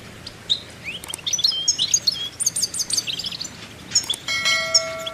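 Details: Goldfinch song: rising and falling high warbled notes in quick succession over a faint hiss, ending with a clear ringing chime-like tone.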